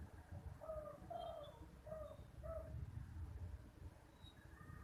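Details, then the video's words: A spotted dove gives soft, hollow coos in a short run of about four notes, with a low rumble of background noise throughout. "Unique Sound Of SPOTTED DOVE"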